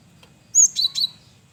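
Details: Male cinereous tit (gelatik batu), used as a lure: a short phrase of three high, sharp whistled notes, the first thin and rising, the next two lower and ringing, over a quiet low hum.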